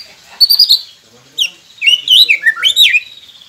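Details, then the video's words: White-rumped shama song from a masteran played so that silent birds start singing: a short high warble, a pause, then a lively string of swooping whistled notes that rise and fall. "Murai Pendiam Cepet Buka Suara dengan masteran ini | shama bird"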